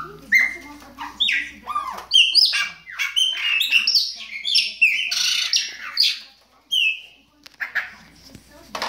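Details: Long Baianinho song from a chopi blackbird: a busy stream of whistled, warbling and squawky notes, some slurred down, some clipped, broken by short pauses, with faint voices below.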